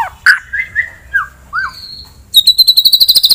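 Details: Rival-provoking song of a white-rumped shama: a few gliding whistles and a thin high whistle, then a rapid, evenly repeated high trill of about a dozen notes.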